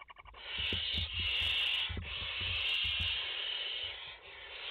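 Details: Five barn owl chicks in their nest, filmed live on 29 August 2021, give an almost unbroken, overlapping wheezing hiss lasting several seconds, along with low knocking and rustling sounds.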